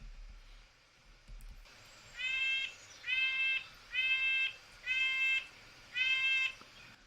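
Red-breasted Nuthatch giving five nasal, tinny 'yank' notes about once a second, higher-pitched and horn-like, over faint background hiss.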